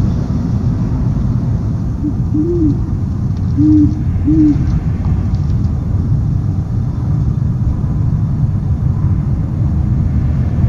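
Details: Owl recorded on 13 January 2015 at 1:44 pm: three short, soft, low hoots, each slightly arched, falling between two and five seconds, over a steady loud low rumble like distant traffic.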